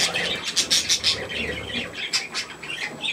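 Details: Young budgerigars at a millet spray on 3 May 2024 give sharp, high chirps and rasping squawks in quick, uneven pulses, several birds overlapping.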